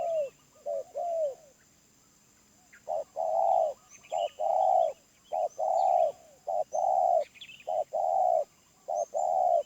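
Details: Cooing of a wild spotted dove with medium-pitched voice: a few soft coos, a short pause, then a steady run of short-long coo pairs, with high chirps of small birds in the background.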